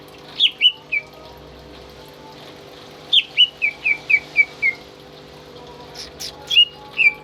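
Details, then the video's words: Greater green leafbird, a tame caged pet in full song and used as a master bird for teaching other birds, gives clear whistled phrases of rapid descending notes, one run of about seven quick slurs, then a pause. "BURUNG CUCAK IJO gacor"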